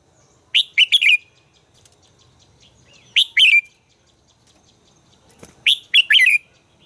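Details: Red-whiskered bulbul in training, giving three evenly spaced phrases of clear, tumbling whistled notes, roughly every two and a half seconds, with a faint click between them.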